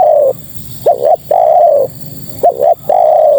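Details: Female spotted dove calling to males: soft, mellow cooing in a repeated phrase, a short double-humped coo followed by a long, level, slightly falling coo, each lasting well under a second.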